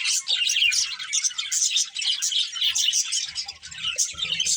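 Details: Budgerigar breeding pair chirping in a continuous high, grating warble mixed with sharp short tweets, with faint low thumps near the end.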